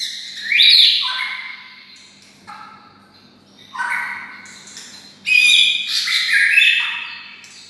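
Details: Bulbul-imitating song from a captive white-rumped shama kept next to red-whiskered bulbuls; harsh, descending whistled phrases come in three bursts, with the last one a loud, busy, chattering warble.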